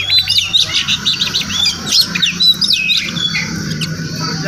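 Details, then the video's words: Oriental magpie-robin, wild and visiting a home each morning, gives a fast series of short sharp notes about twice a second, followed by softer twitters, over a low background hum. "Crazy Sounds of Village Magpie Birds"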